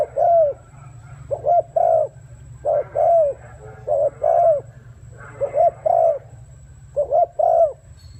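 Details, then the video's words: Spotted dove singing 'gù' coos in clusters of two or three arched, falling notes, spaced by short gaps, over a persistent low droning hum. "Tiếng chim cu gáy có giọng gù hay nhất"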